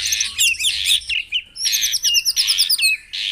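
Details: White-rumped shama song for stimulating caged birds at morning dew exposure: loud rasping, buzzy bursts interleaved with short looping whistles, delivered in quick repeated phrases with brief gaps.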